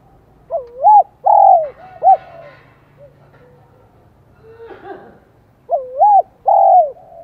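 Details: Spotted dove in Vietnam singing in the high-pitched 'giọng son' style: two clear three-note cooing phrases, each a swooping rising coo, a long wavering coo and a short clipped final note, separated by a pause with faint soft murmurs.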